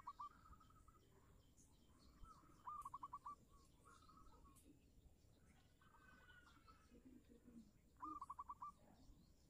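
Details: A local zebra dove's cooing, used as a lure to prompt silent doves to sing: soft drawn-out coos, then quick bursts of about five staccato notes, repeated every few seconds over faint background hiss.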